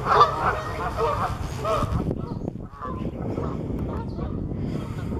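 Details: Canada geese in landing flight honking loudly and repeatedly for about two seconds, the calls then fading into a rushing noise.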